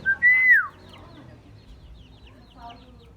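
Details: Common myna, said to make many sounds and learn human voices; a brief note leads into one loud clear whistle that bends downward, followed by near quiet and faint chatter.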